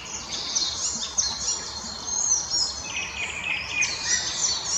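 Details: Singing Icterine warbler, Krasnoglinsky area, 12 May 2020: rapid, jumbled high twittering mixed with sharp whistles and a lower run of repeated chattering notes in the last seconds.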